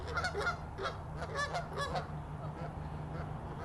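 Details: A group of Canada geese fighting, giving loud, harsh, overlapping honks in quick bursts over steady low rumbling background noise.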